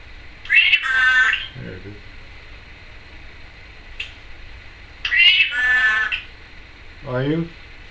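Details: A female pet Timneh African grey parrot, in the home about a month, gives two bursts of raspy, speech-like chatter, each followed by a lower, wavering warble, in a quiet room.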